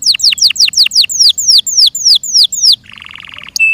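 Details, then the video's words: Caged Yorkshire canary song, loud for its small size: a steady series of high notes sliding downward, slowing as it goes, ending in a low buzzy rattle and a short clipped note. "THE BEAUTIFUL SOUND OF FI YORKSHIRE CANARIES"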